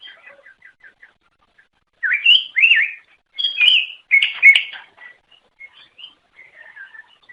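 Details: Greater green leafbird, an Indonesian songbird, singing to attract others of its kind: soft repeated ticking notes, then loud rising and falling whistled slurs with buzzy bursts, trailing off into quieter scattered notes.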